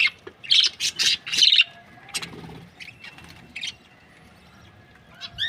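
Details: Australian budgerigar pair, described as a happy breeding pair, give a quick run of bright chirps in the first two seconds, then a few isolated squeaks amid quiet.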